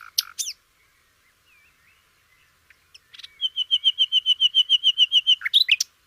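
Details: Sikatan londo flycatcher song used as tutor audio for training canaries: a few sharp high chirps, a quiet pause, then a fast, steady run of about fourteen even, bright whistled notes, closing with more abrupt piercing chirps.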